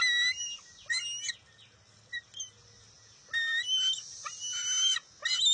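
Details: Bald eaglet at the nest on June 23, 2021, competing with its mother for a fish: loud harmonic squeals and chirps come in two clusters separated by a quieter stretch, with thin high whistles between.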